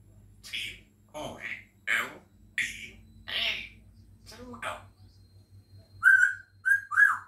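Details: A pet African grey parrot at the window, eating grapes, chatters steadily in raspy speech-like syllables about once a second. Three clear whistled notes, evenly spaced, close the sequence.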